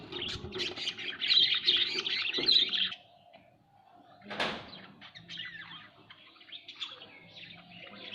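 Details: Home budgerigars give loud busy twittering for three seconds, then quieter scattered chirps follow a sharp knock or wing flutter, with a low hum in the room.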